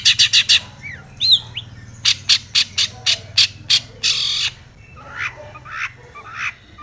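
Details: Long-tailed shrike singing with aggression as if challenging a rival: a rapid series of about a dozen evenly spaced harsh, scratchy notes, then a longer rasp and softer scattered chirps.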